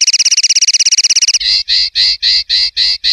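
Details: Common linnet, clean 'limpio' song style from a Spanish silvestrismo CD for 2025/2026: a fast, rattling trill gives way to longer full notes repeated roughly four times a second.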